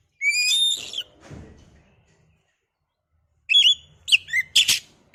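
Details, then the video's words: Oriental magpie-robin used as a lure to excite another into song: a long rich whistle at first, a soft rustle, then after silence a fast burst of sharp whistles and a harsh scratchy note. "pancingan burung Kacer biar emosi mau bunyi"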